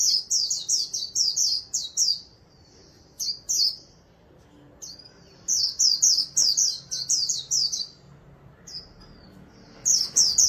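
A white-eye sings rapid, very high, thin twittering phrases of quick sliding notes. The bursts last one to two seconds, with short quiet gaps between them.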